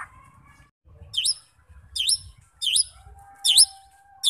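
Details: High, sharp down-and-up notes from a White-rumped shama repeated about once every second, with a faint steady tone late on. The song is meant to stir fighter birds into singing.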